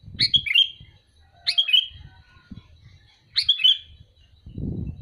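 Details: Sooty-headed bulbul calling: three bright, bubbly whistled phrases of two or three quick liquid notes each, spaced about one to two seconds apart, with soft low thumps and handling noise underneath.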